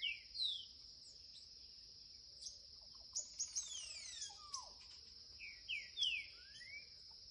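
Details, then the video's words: Young green-winged saltator singing in the curricutil style: scattered short slurred and down-sweeping whistled notes, some in quick bursts, over a steady high insect-like hiss. "TRINCA-FERRO curricutil FILHOTÃO"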